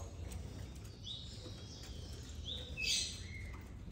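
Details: Captive Yellow-bellied Seedeaters being paired for breeding give a few brief, high, thin chirps, scattered over a few seconds and calling back and forth, over steady low room noise.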